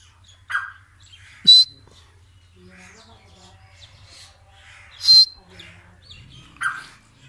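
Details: White francolin calling: three sharp, harsh bursts about two seconds apart, each a brief shrill note with a clipped ringing tone, followed by a softer lower note, over faint low hum.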